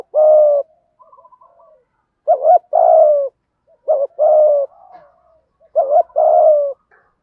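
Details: Spotted doves, male and female, cooing to lure wild doves into answering: three phrases, each a short low note, a brief pause, then a long hoarse coo gliding slightly downward, spaced about two seconds apart, with soft warbling notes between.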